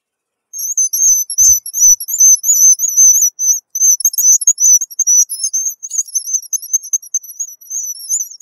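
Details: Guillemot calling: a very high, thin, wavering whistled trill that runs almost continuously with brief breaks, plus a couple of soft low thumps early on.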